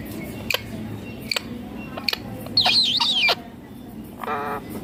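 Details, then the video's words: Indian ringneck parakeet calling: scattered sharp clicks, then a loud wavering whistled screech with a harmonic squawk after it, over a steady low background hum. "Indian Ringneck Green Parrot Natural Sounds"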